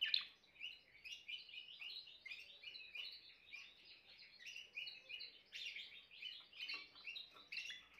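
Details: Continuous Timbrado canary song, a dense rolling warble of quick repeated notes that rise and fall, moderately soft throughout, with a slight background hiss.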